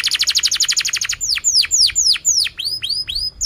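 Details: Canary song opening with a fast trill of about twenty short notes per two seconds, then slower loud downward-sweeping whistles and a few rising chirps.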